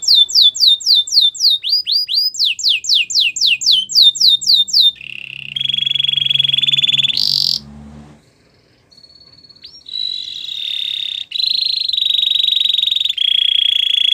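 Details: Belgian canary song opening with fast tours of rapid downward-sweeping whistles, then long buzzy rolling trills on one pitch, a short near-silent break, and further sustained bright rolls at varying pitches.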